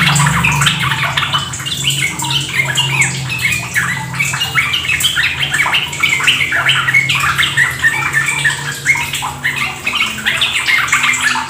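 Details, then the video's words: Yellow-vented bulbul chattering song of dense, bubbly phrases of quick notes pouring out without pause, over a low steady hum. It is played as a lure so that kept bulbuls start singing, ideally near trickling water. "Pancingan trucukan agar ikut ropel gacor"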